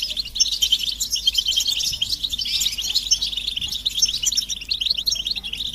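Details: European goldfinches chattering as a flock, a motivating chorus of mating calls for silent males: continuous sweet, jangling twitters and rolling trills, busy and high-pitched throughout.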